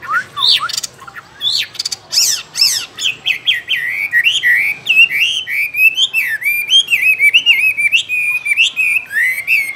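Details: Chinese hwamei in a cage pouring out a fast, varied song: sweeping high whistles and sharp notes at first, then a long string of rapid, looping slurred whistles.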